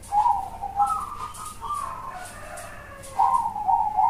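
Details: Perkutut bangkok (zebra dove) in big-voiced cowong song: a soft, rolling, warbled coo drawn out over several seconds, stronger at the start and end, with faint ticking sounds in the background.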